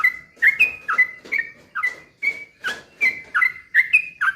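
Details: Lure song of a sooty-headed bulbul to make others sing: regular slurred whistled notes about two to three per second, each with a clicky attack, over a soft hiss in the background.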